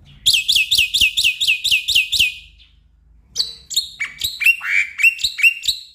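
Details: Black-winged myna song played to stir a stressed, silent caged bird: a series of about nine loud, regular buzzy chirps, a pause, then varied sharp notes and rising slurred whistles.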